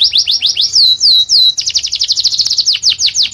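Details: Tutoring song from a male canary for chicks: quick high chirps, then three sweeping down-slurred whistles, then a fast rattling trill of repeated notes.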